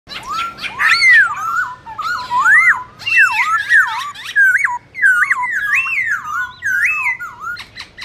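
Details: ['Black-throated laughingthrush singing a competitive fighting song with many voices, meant to stir other birds. Loud, varied whistled phrases rise and fall in quick looping slurs, delivered in dense bursts separated by brief pauses.']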